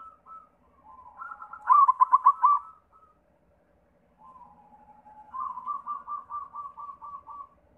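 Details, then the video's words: White zebra dove singing as a lure for other doves: a loud run of five or six clipped cooing notes, a pause, then a long evenly spaced string of softer staccato coos. "Sura Perkutut pitih PAMCINGAN SEMUA JENIS PERKUTUT"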